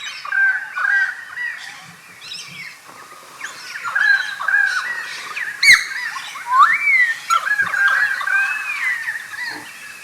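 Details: Pied Currawong at Carnarvon Gorge's Takarakka Bush Resort, Queensland, Australia, 21 July 2019 around 11:50, filmed with a Panasonic Lumix GH5; loud run of gurgling, swooping whistled notes, rising and falling, tumbling over one another with sharp clicks between.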